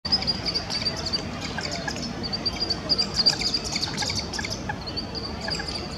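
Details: Common moorhen (Gallinula chloropus) chicks, two of them, beg for food with thin, insistent, high-pitched peeps tumbling over each other several times a second while the exasperated parent shoos them away; low wind and water rumble.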